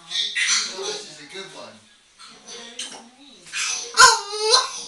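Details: Pet African grey parrot talking away: a run of speech-like syllables, a short pause, then more chatter ending in a loud harmonic whine-like call.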